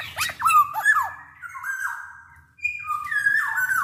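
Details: Nasal, drawn-out squawks from a big-bodied Black-naped oriole calling vigorously, used to lure orioles into singing. Several slurred notes slide downward, then a louder grating phrase follows after a brief silence.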